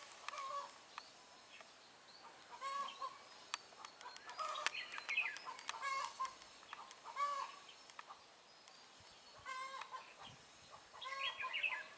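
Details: Red-whiskered bulbul used as a trapping decoy, singing to challenge rivals on 23 March 2018: bursts of quick buzzy chatter and brief whistles separated by pauses, with sharp clicking noises in between.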